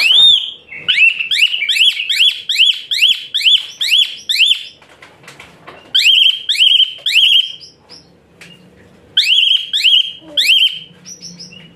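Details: {'caption': "Asian pied starling in energetic 'rough shot' song used to tutor other birds, pouring out a rapid string of shrill, piercing whistled notes, about ten in quick succession, then a pause and two further shorter bursts."}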